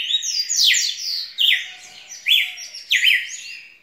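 Red-cowled cardinal singing rich, fast phrases of slurred, whistled notes in bursts about a second apart, bright and high-pitched, with no other sounds.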